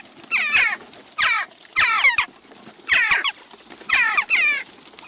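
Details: Flock of western jackdaws at a garden bird feeder in Recke, Germany, on June 29, 2021; harsh, squeaky chattering calls in five bursts about a second apart, each a cluster of rapid, descending nasal notes.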